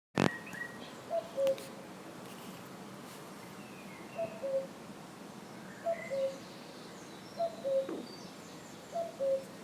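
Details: Wild common cuckoo at the ruins of the Château de Fallavier: a clear two-note cuckoo, higher then lower, repeated about every one and a half seconds, five times, after a sharp click at the start, with a faint hum behind.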